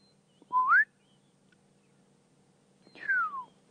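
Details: A black-headed oriole in the dawn chorus at sunrise on a July 20, 2016 African safari drive gives two liquid, fluty whistles about two and a half seconds apart, the first sliding upward, the second down, over a faint low hum.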